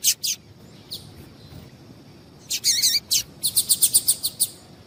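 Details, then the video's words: Double-collared seedeater female piping used to make males sing: two high chips, a pause, then a dense burst of buzzy notes and a rapid, even series of bright high chirps. "Esse Piado de Fêmea de Papa capim é Seu Papa capim Vai Ficar Cantando RÁPIDO!!!"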